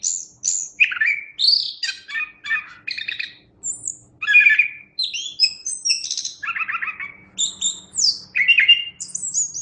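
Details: Chestnut-capped thrush song in separate clear phrases: high slurred whistles, buzzy rattles and rising and falling notes, each phrase roughly half a second long with short pauses between.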